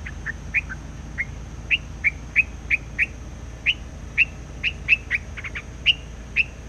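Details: Lure bird, a white laughingthrush, singing hard in the forest while used for bird trapping: loose strings of short whistled chirps, some doubled or tripled in quick bursts, against a faint steady hum.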